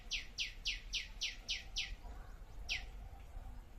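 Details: In a mini food forest, a bird gives a rapid run of seven descending chirps, then pauses before one more, with low outdoor rumble underneath.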